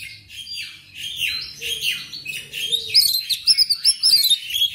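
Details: Black magpie-robin, locally kacer, singing: buzzy, grating phrases give way to rapid, high, clear whistled notes repeated in quick succession, with a faint low hum in the background.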